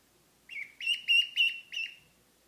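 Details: A Mallard duckling, a young pet that constantly cries and whines and seems reluctant to sleep, gives five shrill, piping peeps in quick succession, each a high, slightly wavering whine; the background is quiet.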